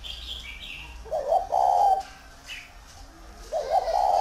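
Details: Large tamed spotted dove in Vân Hòa, Ba Vì, Vietnam. Two strong, rough coo phrases are separated by a pause, and thin high chirps from another small bird come near the start and middle.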